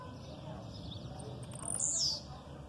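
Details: Blue-black grassquit giving an aggressive song over faint female calls: a brief, very high buzzy note that slides steeply downward near the end, above a low background rumble.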